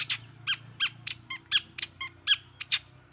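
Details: Long-tailed shrike lure sound meant to provoke rival shrikes: harsh, scratchy squawks repeated about three times a second, each short and evenly spaced over a quiet background.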